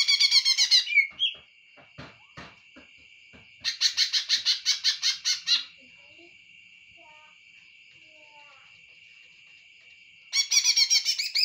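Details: Greater green leafbird singing: loud bursts of fast, harsh repeated notes, each run lasting one to two seconds and separated by pauses, over a steady high whine, with a few faint clicks and soft chirps between bursts.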